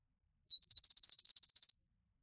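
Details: Eastern meadowlark chatter: a fast, dry, buzzy rattle of about fifteen even pulses lasting just over a second, steady in pitch, with no other sounds.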